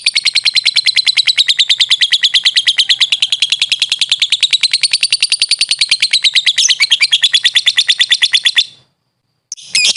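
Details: Lovebird (Agapornis) sings a long, fast run of shrill, chattering notes, very rapid and high-pitched, breaking off briefly before resuming.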